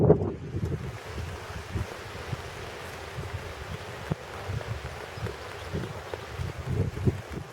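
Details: Only gusty low wind rumbling against the microphone, with rustling bursts, is heard and no birdsong.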